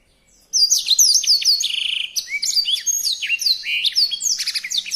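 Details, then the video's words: Energetic songbird song starting after a brief silence, a dense high torrent of whistles, slurred notes and quick trills, with short buzzy passages mixed in; steady and unbroken to the end. "Masteran Burung Gacor"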